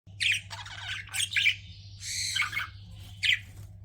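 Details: Pet budgies chirping in a run of harsh, scratchy squawks and short chirps, with one longer buzzy chatter in the middle, over a steady low hum.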